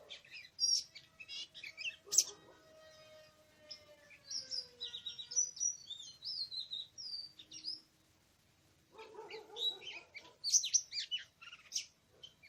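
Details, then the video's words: Oriental magpie-robin in the wild forest, recorded on 24 March 2017 during bird trapping: a long varied song of high whistles, chirps and warbled notes, with harsher, lower harmonic notes mixed in and a brief silent pause midway. "Oriental Magpie-Robin:Chirping In The Exciting Wild"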